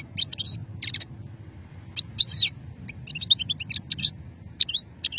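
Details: Old-strain song of a European goldfinch recorded at Hammam Guergour, Sétif, Algeria, in 2020; lively high tinkling twitters and liquid trills in rapid bursts, almost continuous, over faint low hum.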